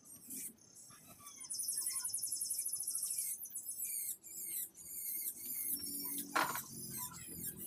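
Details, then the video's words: Long-tailed shrike singing while warming in the sun: a varied run of short whistles, chirps and clicks with a fast, very high trill early on, over quiet background noise. "mumpung ada panas kita hangatkan cendetnya"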